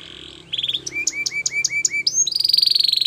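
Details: Russian canary song for training, opening with a soft roll, then evenly spaced upswept chirps about four a second, ending in a sustained bright buzzing trill, with faint low background hum.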